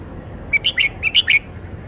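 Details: Red-whiskered bulbul showing its range of song phrases, singing two matching bursts of three quick, bright, chirped notes about half a second apart against a faint steady hum.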